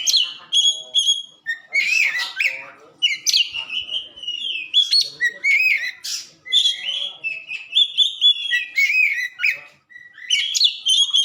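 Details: White-rumped shama singing nonstop, meant for training caged birds: mixed loud whistles, chirps and rasping notes delivered in quick varied phrases.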